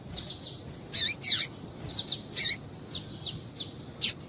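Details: Female double-collared seedeater call to stimulate singing in males: busy high chirps and short downslurred twitters, some doubled, in an uneven rhythm.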